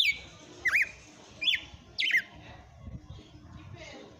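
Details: Red-cowled cardinal singing at the end of the afternoon, three loud whistled phrases, each a quick falling slide ending in a twisting upturned note, spaced under a second apart, then quiet with faint low background noise.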